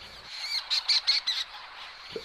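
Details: At a nesting colony in trees, a fork-tailed storm petrel gives its individual-recognition call: five quick, harsh, grating notes like a yapping bark, run together in under a second, with a faint low thump at the end.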